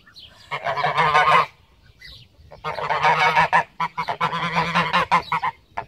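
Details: Pomeranian geese, a domestic breed descended from the greylag goose, calling: loud harsh nasal honks in long overlapping bursts, several birds at once, with short pauses between outbursts.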